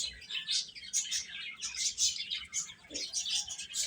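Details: Baby chickens chirping while eating: a dense flock of high, thin peeps overlapping continuously, bright short notes packed together with hardly any gap, no other sounds.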